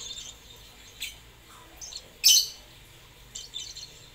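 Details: Lovebird calling in short, sharp high-pitched chirps spaced apart, with one louder harsh burst midway and faint chatter between.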